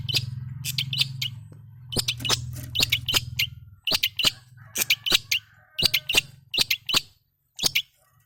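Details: Practising long-tailed shrike, kept to coax reluctant shrikes into song, gives scattered, clipped chirps and brief twittery notes with short gaps, over a low droning hum that stops midway, then falls silent near the end.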